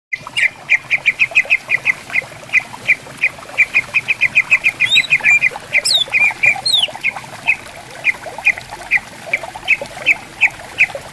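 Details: Greater green leafbirds answering one another in bamboo forest beside a gently flowing clear river: rapid run of short bright chipping notes, then slower spaced notes, with a few high sweeping whistles mid-way.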